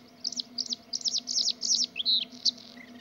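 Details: Bluethroat singing bright, high, slurred notes in quick bursts of about three per second, with a drawn-out whistled note near the end and a faint low hum beneath.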